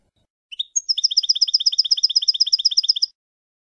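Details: Young-bird tutoring recording of European goldfinch clean song from 2015: a short rising note and a high whistle, then a rapid, very regular trill of bright paired notes, about eight per second.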